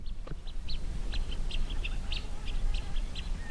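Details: A flock of blue-winged teals glides across a calm lake among lily pads in their natural habitat. Short, high peeping notes come in a loose, repeated series over a steady low rumble of background noise.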